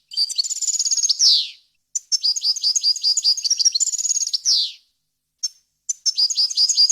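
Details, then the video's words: Pure goldfinch song prepared for training chicks and goldfinch hybrids: continuous fast twittering, trilled passages and repeated sweeping buzzy notes, with only short gaps between phrases. "غناء طائر الحسون ، صوت صافي وخالي من الاخطاء لتسميع الفراخ"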